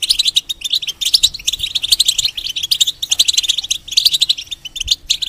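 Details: A caged European goldfinch, changing feathers, pours out rapid high twittering in phrases of sharp chirps and trills separated by brief pauses.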